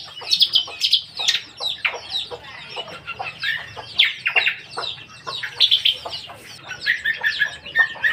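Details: Lesser green leafbird in energetic, dense song: rapid chattering and scratchy notes mixed with sharp whistled chirps, delivered almost continuously with brief loud peaks roughly every half second.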